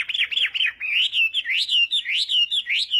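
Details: Chinese hwamei singing in the morning as voice training for song contests; loud clear whistled phrases, rapid looping slurred notes rising and falling, strongly repeated with almost no gaps.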